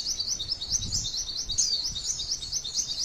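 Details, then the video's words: Female white-eye giving a brief, busy 'tembakan' song used to coax other white-eyes to sing: rapid high twittering notes packed closely, with a sharper bright phrase midway. "MASTERAN PLECI TEMBAKAN MANTENAN PANJANGGGGGGG TEMBAKAN UNIK MUDAH DI TIRUKAN PLECI JENIS APAPUN"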